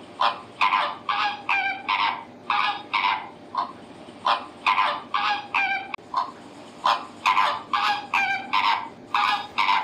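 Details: Flamingo honking repeatedly, harsh nasal goose-like notes in steady bursts of two or three, continuing for nearly ten seconds with short pauses.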